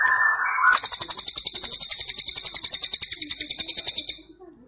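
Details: Crested jay, known locally as cililin, in a tutor recording for training songbirds: a loud, sharp mechanical rattle of rapid harsh pulses repeated about four times a second for over three seconds, preceded by a brief rasping note.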